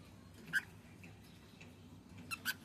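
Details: Brief clear chirps from a male cockatiel, one sharp note early, then a quick pair of short whistled notes near the end, over soft background hum.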